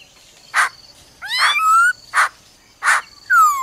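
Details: Female laughingthrush calling "ro ro" to stir up a male: short broad bursts spaced about every 0.6 seconds, mixed with rising whistled notes and a long upslurred whistle, a faint steady tone behind.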